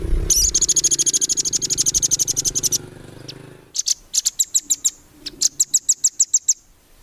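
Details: Competition-bird training song of a nuthatch. It opens with a rapid, dense trill of high notes for nearly three seconds, then short runs of crisp, high notes repeated several times a second with brief pauses between them.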